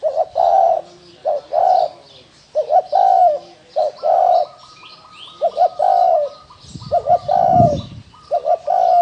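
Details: Spotted dove cooing: deep, hollow, mellow coos in repeated phrases of two or three notes, loud and close, with a faint higher tone running behind and a brief low thump near the end.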